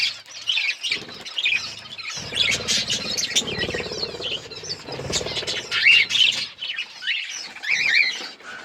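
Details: Growing budgerigar chicks and colour adults, a steady twittering chorus with sharp chirps and a few clear whistled notes, soft low rustling beneath.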